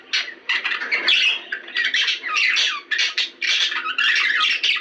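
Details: Mating-stimulation song of budgerigars: rough, squawky chatter in quick bursts with brief pauses, harsh grating notes mixed with short chirps.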